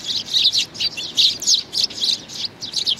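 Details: Small young sparrow calling with rapid, squeaky high chirps, bunched in short groups roughly three per second, close and clear against quiet background.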